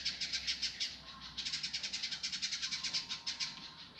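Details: Rough, fast indigo song recorded as a master for training birds: rapid rasping high notes, roughly three per second, in an unbroken harsh chatter with a faint steady tone underneath.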